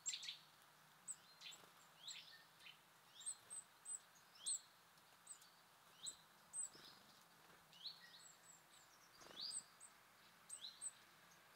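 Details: Wild birds visiting a feeder in nature give short, high, thin chirps and tweets, spaced irregularly about every half second to a second. A faint low steady hum and soft rustles sit underneath.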